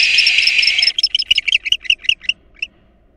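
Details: Barn owl nest with a female intruder and the defending father: a harsh, broad screech fades into a run of about ten rapid squeaky chirps that trail off into silence.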